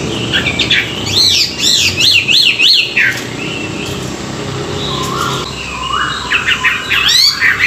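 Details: Morning song of a Chinese hwamei used for voice training: a series of fast, repeated up-and-down whistled notes, a short pause, then lower sliding whistles and bright twittering phrases.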